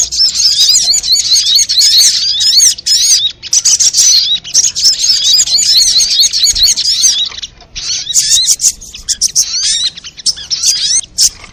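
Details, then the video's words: Crowded sunbird calling used as a lure: a near-continuous, high-pitched chatter of rapid chirps and twitters, with a short lull midway before the busy calling resumes. "SUARA PIKAT BURUNG SOGOK ONTONG RIBUT AMPUH BIKIN SOGON NEMPEL PULUT"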